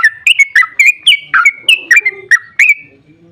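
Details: Energetic 'ropel' song of a sooty-headed bulbul, played to make other bulbuls respond: about ten quick, clear whistled notes, each with a brief rising-falling slur and a slight drawn-out tail, trailing off at the end.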